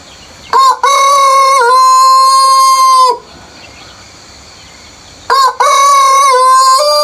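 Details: Before sunrise in peaceful countryside, a rooster crows twice: each crow opens with a short clipped note followed by a long, loud, steady harmonic drawl, the second crow rising slightly at its end.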